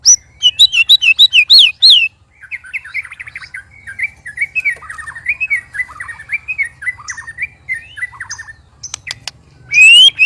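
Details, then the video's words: White-rumped shama, one of three caged birds set against each other, giving strange, loud sounds: sharp rising whistled notes repeated quickly for two seconds, then a long run of rapid, varied chattering and twittering phrases, ending in clicks and a high whistle. "Murai Keluar Suara Aneh Ketika Di Trex 3 Murai"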